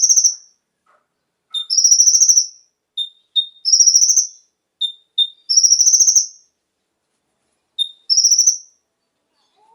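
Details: Konin singing, used to make captive birds sing along: high, fast trills alternate with paired short clear whistled notes, roughly one phrase every two seconds, clean background.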